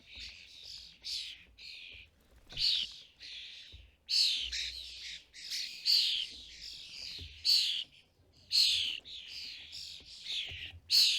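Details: European starlings at a custom-built UK feeder where adults feed fledglings. A steady run of loud, scratchy, buzzy squawks repeats irregularly, roughly one or two each second, several ending in sharper accents.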